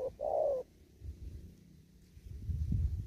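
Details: A single spotted dove phrase from an upland field in the 'thúc gù' style: a short hoot and a longer, wavering coo, followed by low rumbling background noise.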